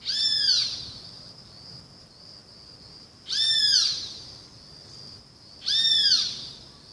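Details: Three loud, rasping great kiskadee calls, each rising then falling in a short harmonic arc, separated by pauses of two to three seconds, while a constant shrill background tone continues.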